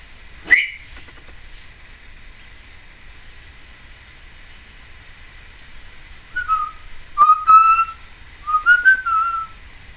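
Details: Cleo, a female Timneh African grey parrot, recorded in 2012: a sharp rising squeak, a long pause, then three short fluty whistles sliding up and down, with a click between them.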